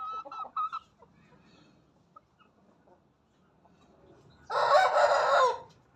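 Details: Aseel hen that acts like a rooster: a few short nasal clucks, a near-silent pause, then one loud, rough, drawn-out crow lasting just over a second.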